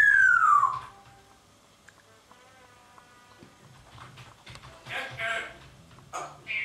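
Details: A parrot talking and making strange noises indoors. A loud whistle slides downward, then come soft wavering tones and bursts of scratchy, noisy sounds. A person speaks Dutch nearby.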